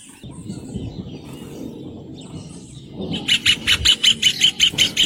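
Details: Rufous hornero song: after about three seconds of low rumbling background, a loud series of sharp, ringing notes starts, evenly spaced at roughly five to six per second and continuing to the end.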